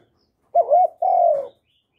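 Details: Spotted dove coo used as a lure call: a wavering two-part coo followed at once by one long, steady, mellow note that slides slightly downward.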